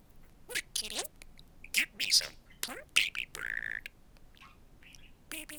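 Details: Male budgerigar trained to say "I love you", producing a run of high, raspy, voice-like syllables with one longer buzzy phrase midway, mixed with sharp chirps and clicks, in a quiet room.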